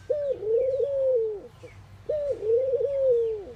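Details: Ring-necked dove among Indian birds during morning activity, giving two long, low coos, each about one and a half seconds, steady then gently falling at the end, with faint chirps of small birds behind.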